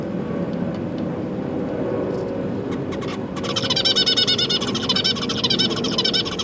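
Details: Captive zebra finch chicks being fed by their parents, newly hatched and juvenile young together; from about three seconds a rapid, buzzy, harmonic-rich begging chatter starts and repeats nearly twice a second over a low hum.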